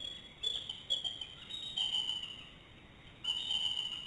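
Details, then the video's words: Bald eagles off their nest calling out loudly at night with no eggs or chicks to protect; a few short, shrill, whistled bursts with pauses between them, set against a constant high background hum. "Eagle Calls in the Night"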